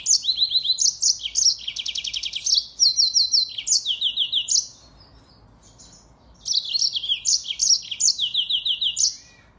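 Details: Singing Mozambique finch, or African canary, a songbird whose lively song serves as a training model for other birds: fast repeated high notes with a dense buzzy trill, a short silence, then another chattering phrase of bright chirps.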